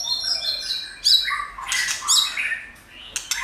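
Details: White-rumped shama singing to stimulate other shamas: fairly soft layered whistles and harmonic notes, with two louder bursts of buzzy chatter and sharp high chips.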